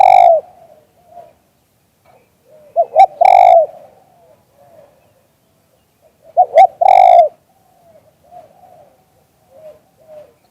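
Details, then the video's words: Loud liu tan style song of a spotted dove, recorded live: raspy coo phrases repeated about every three and a half seconds, each a quick stutter and a strong, harsh, slurred coo, separated by faint soft murmurs. "เสียงนกเขามงคล หลิ่วตัน"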